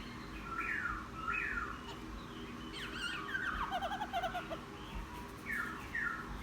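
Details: Newly caught wild laughingthrush, caged for ten days and now hung outdoors, chattering in its song: short slurred whistles falling in pitch, then a quick run of rapid trilled notes, with steady low background hum.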